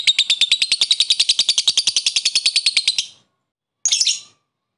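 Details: Lovebird calling a rival with a fast 'ngekek' chatter meant to stir up other lovebirds: about three seconds of rapid, evenly repeated shrill notes, then a pause and one short harsh burst.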